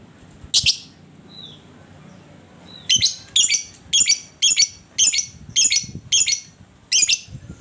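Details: Lovebird ngekek, the long chattering song, played as a lure to set other lovebirds singing: one harsh burst, a quiet gap, then a steady run of about nine rasping high chatters, roughly two per second.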